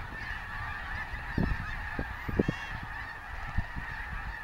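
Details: Snow geese massed at Bosque del Apache National Wildlife Refuge giving a steady wall of overlapping honks, with scattered nearer calls standing out over low rumble.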